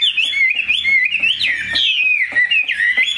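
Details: Chinese hwamei, a large-bodied pure-bred pet songbird praised for its excellent voice, delivering a fast, rich run of looping whistled phrases that rise and fall without pause, with faint low background hum.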